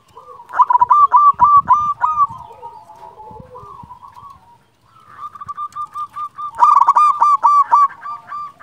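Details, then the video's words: Local zebra dove, a lively calling champion bird, gives rapid runs of short hooked cooing notes, about eight in quick succession, then a quieter stretch and another loud burst of repeated coos near the end. "Perkutut lokal gacor Juara memanggil"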